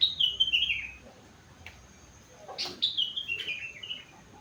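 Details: Sooty-headed bulbul, four months old, with rengganis and cucak wilis imitations: a falling whistled phrase, a quiet gap with faint clicks, then a second longer descending warble.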